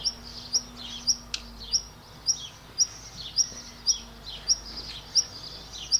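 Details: A black redstart in front of the camera utters a regular series of about twelve crisp, very high, short call notes, roughly two per second, with a faint steady hum underneath.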